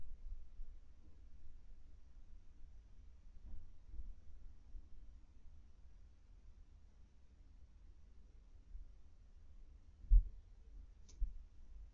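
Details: A low, steady indoor hum with two brief knocks near the end, and no animal calls.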